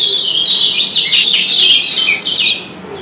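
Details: Yellow white-eyes of Lombok, Indonesia, answering one another in the double-chirp style: continuous, bright, high-pitched twittering and rapid jumbled chirps throughout.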